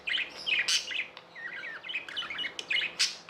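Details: Budgerigars kept as pets chirp in bright, bubbling twitters, with loud high chips near the start and end and softer warbling between.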